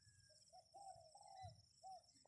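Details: Quiet, somewhat distant spotted dove phrase, used to attract wild birds: a small lead note, two long level purring coos in a row, and a shorter closing coo, followed by a sudden louder note cut off at the end.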